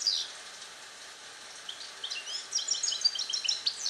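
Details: Song-trained European goldfinch, a captive-born 2021 male singing Neapolitan passata while isolated in a small carrier. After a quiet stretch comes a quick run of high, sparkling chips and short trills, repeated several times a second.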